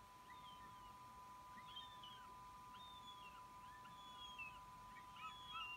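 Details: Northern goshawk fledgling, already out of the nest and returning to snatch food: thin, high, drawn-out squealing calls, some sliding downward, repeated about once a second, over a steady electrical hum.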